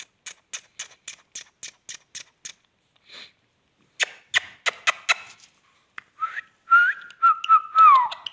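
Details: Indian ringneck parakeet talking: a quick series of about ten dry clicks, a second burst of clicks, then rising chirps and a long wavering whistled phrase that slides downward at the end.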